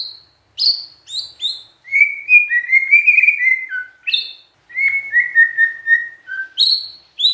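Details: Magpie-robin song aimed at provoking rival magpie-robins: high sharp downslurred whistles in threes, then a long run of fluted mid-pitched phrases, repeated sharp whistles and a further descending sequence.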